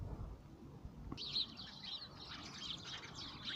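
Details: City sparrows in Moscow: after a second of low traffic rumble, a burst of rapid, high chirps and twitters starts and continues in overlapping bursts, with a steady urban hum underneath.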